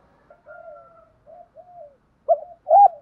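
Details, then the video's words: Spotted dove coo, used to provoke wild doves and train decoy birds: faint, drawn-out low hoots at first, ending with two louder, abrupt coo notes. "Tiếng chim cu gáy kích bổi mới nhanh nổi"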